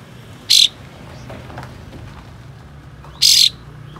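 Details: Harsh besetan call of a tail-spreading white-shouldered triller, aimed at provoking rival trillers to fan their tails: two short, loud, grating hiss-like bursts about 2.7 seconds apart over steady murmuring background noise.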